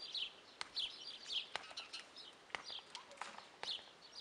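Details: Repeated grating guineafowl notes at an uneven pace, mixed with sharp clicks and knocks.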